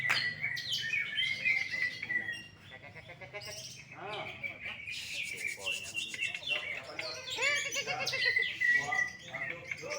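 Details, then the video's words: First-place greater green leafbird during a singing contest: steady high whistled phrases mixed with rasping buzzy passages and fast chirps, delivered almost without pause, with people talking faintly. "CUCAK IJO FOLLUM PEDES MUTLAK KEBAKARAN JUARA 1"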